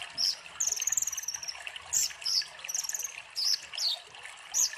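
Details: Sunbird, locally kolibri ninja, singing to prompt and tutor young birds: short bursts of high squeaky notes alternating with quick rattling trills about every second, water trickling faintly underneath.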